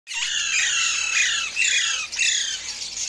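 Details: Alexandrine parakeets in the morning screech in a harsh, continuous squawking chorus, loud and grating, with brief dips before rising again.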